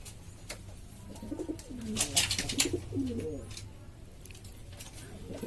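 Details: Lombok domestic pigeons, a hobbyist flock in East Lombok, Indonesia, making a racket: a few bubbling, wavering low coos in the middle seconds, interrupted by sharp clicks and taps, then quieter murmuring.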